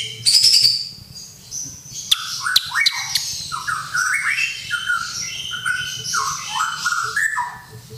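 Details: White-rumped shama singing in answer to a whistle, recorded for song tutoring: a sharp high burst opens, then a long run of varied slurred, rising whistled phrases delivered almost continuously, with a low background hum.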